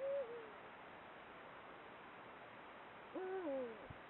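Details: Eurasian eagle-owl filmed by camera trap early in the breeding season, calling to pair. Two deep hoots, the first faint and the second stronger, stand over a heavy hiss of background noise.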